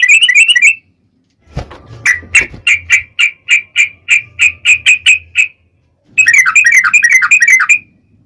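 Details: Sooty-headed bulbul long song used as a lure for other bulbuls: a short warbled burst, then a steady series of about fourteen clear separate chirps, ending in a fast jumbled chattering phrase.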